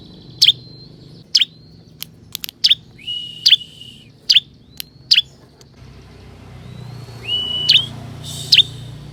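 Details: Ciblek kristal, the bar-winged prinia, played as a lure for wild forest birds: scattered single high, sharp chirps spaced one to two seconds apart, some preceded by short level whistles, over a soft low background hum.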